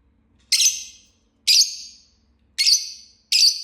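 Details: Lovebird of the Green Fisher variety chirping: four shrill, raspy high notes, each with a fading tail, spaced about a second apart.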